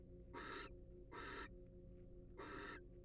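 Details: Three drawn-out, harsh hissing screeches from a wild barn owl in a monitored nest box, the last one after a longer pause, over a constant low-pitched hum.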